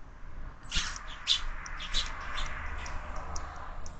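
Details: Sparrows visiting a feeder fixed to a window: a dense run of quick, high chirps and twitters starts after a brief pause, several overlapping, over a low constant rumble.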